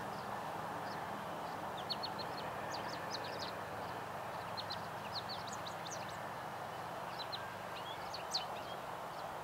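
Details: Spring song of an American goldfinch recorded in April at Coquitlam, British Columbia: scattered high, quick chirps and twitters strung across the clip over constant low background hum and wind.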